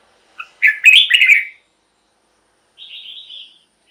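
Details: Red-whiskered bulbul singing to excite caged birds and lure wild birds: one quick, bright warbled phrase, silence, then a softer thin whistle.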